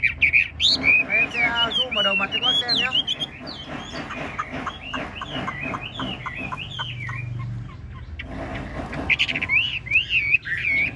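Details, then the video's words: Caged Chinese hwamei singing a long varied song of loud whistled, slurred notes and rapid trills, with music and a man talking underneath. "Họa mi ngũ trường bộ to hót gật gù múa lân"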